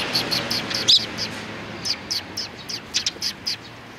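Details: Sparrows recorded on 29 May 2019, giving short bright chirps in loose scattered series, some faint and some louder, over a steady low hum.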